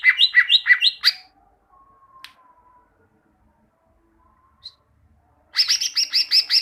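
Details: Greater green leafbird song for coaching caged birds to sing diligently: a quick burst of repeated slurred chirps, a long near-silent gap with a faint thin whistle, then another rapid series of bright, even notes.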